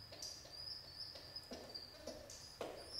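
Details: Pet pigeon chicks, only days old, being fed by their father after their mother was taken by a hawk; thin, high squeaky whistles repeat steadily, about two per second, with soft low rustling and knocks beneath.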